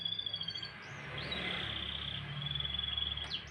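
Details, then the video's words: Canary in the morning giving soft drawn-out whistled notes and brief upslurs over a steady low background hum. "kicauan burung kenari"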